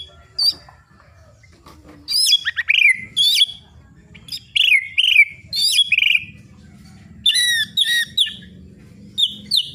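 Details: White-rumped shama singing to rouse other birds: bursts of rich, varied high whistles and chattering phrases, rising and falling sweeps in clusters separated by short pauses, with faint low buzzing underneath.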